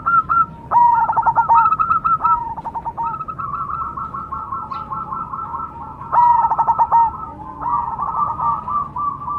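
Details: Perkutut Cemani zebra dove, a kept contest bird, giving fast strings of short hooked coos near one pitch, bursts separated by pauses, with other dove song overlapping in the background.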